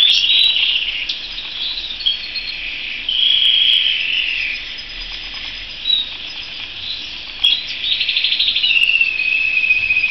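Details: Canary producing bursts of high rolling trills separated by softer, quieter stretches. The last seconds hold a fast, regularly repeated trill.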